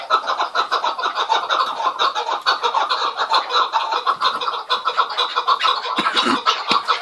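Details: Continuous clamour of chukar partridge calls, harsh clucking notes packed tightly together without pause, steady and loud throughout, with a few thumps near the end.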